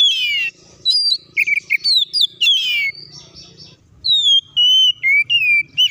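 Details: Oriental magpie-robin song meant to provoke other birds to sing and fight, dense varied phrases of whistles, buzzy notes and slurs, a brief lull, then clear sustained whistled tones.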